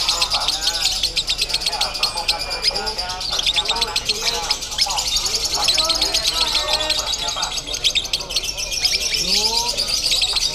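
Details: Konslet crazy song of a lovebird at a Bandung bird-singing contest, a long, high, rattling chatter of quick twitters running nonstop while spectators' speech is clearly heard underneath.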